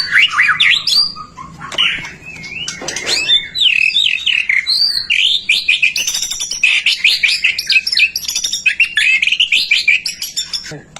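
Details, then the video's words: White-rumped shama in full song, played to encourage other shamas to sing: dense, fast, high-pitched varied phrases of whistles, chips and slurred notes, almost unbroken throughout. "Suara murai batu gacor AMPUH buat PANCINGAN murai batu agar BUNYI"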